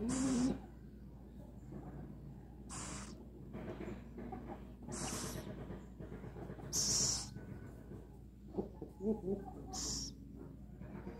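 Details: Rescued little owl before a meal makes breathy, wheezing hisses at irregular intervals of two to three seconds, with soft rustles and a faint squeak between them.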